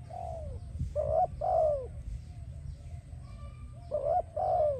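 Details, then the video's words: Spotted dove song for training and attracting doves, two phrases each of a short coo then a longer sliding, falling coo, separated by a quiet gap with low background rumble. "Spotted Dove animal singing sound"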